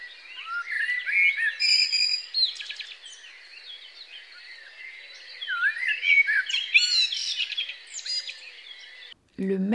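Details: A common blackbird sings rich, fluting warbled phrases through a middle-high range, broken by thin twittering flourishes, with other birds in the background; a voice briefly cuts in at the very end.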